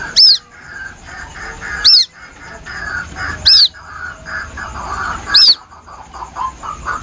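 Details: Young White-breasted waterhen giving a sad, plaintive call, used to lure birds: four shrill arched peeps at uneven gaps of about 1.5 seconds over a steady murmur of faint mid-pitched chatter.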